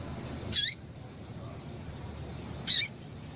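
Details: A female Double-collared seedeater gives two short, thin, high calls about two seconds apart over a faint low hum; a female call used to stimulate males into singing.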